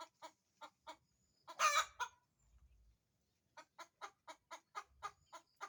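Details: Chicken cackling around egg laying: a series of short, evenly repeated clucks about every quarter second, interrupted by one loud, harsh squawk, then the clucking run resumes; faint low thumps underneath.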